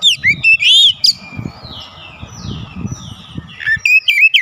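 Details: Lure recording of a singing Oriental magpie-robin showing its repertoire. Loud, sweeping whistled phrases open the song, softer high slurred notes follow over low murmur, and sharp varied whistles return at the end.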